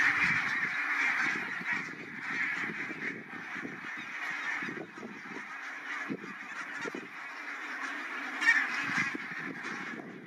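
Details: Migrating barnacle geese gathered on Matsalu National Park meadowland in Estonia, a flock giving constant overlapping yelping honks that swell and fade, with one louder sharp call standing out near the end.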